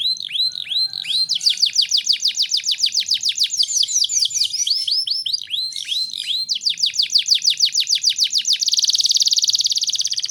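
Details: Canary song used as a tutor to stimulate young canaries into singing: high, rapid trills of repeated arched notes, shifting between faster and slower rolls, ending in a dense buzzy high trill, with continuous energetic delivery.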